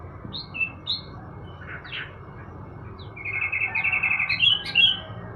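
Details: Sooty-headed bulbul being sunned in the morning: scattered chirps early on, then a quick run of repeated bright notes followed by rising, bubbly phrases, with a steady thin tone and low background rumble.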